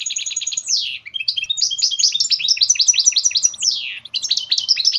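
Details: Goldfinch mule, a goldfinch hybrid, singing a continuous, rapid high twittering song of varied chirps and trills, broken by two buzzy downward sweeps; no other sounds.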